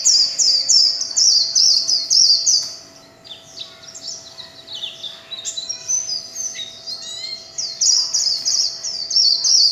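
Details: Warbling white-eye, kept as a songbird, in líu chòe song: quick high sweeping phrases, then a softer jumbled middle of varied chirps, returning to loud rapid twittering.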